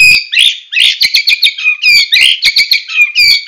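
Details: Nonstop burst-filled song of a Medan white-rumped shama, full tembakan style: loud, densely packed rattling notes and bright trills fired in quick succession with almost no gaps.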